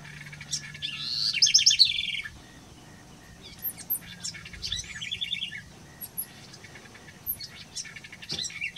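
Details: A House Wren sings a rapid, bubbling jumble of high chatters and trills in bursts at Colonia Carlos Pellegrini, Esteros del Iberá, Corrientes, Argentina, in October 2016.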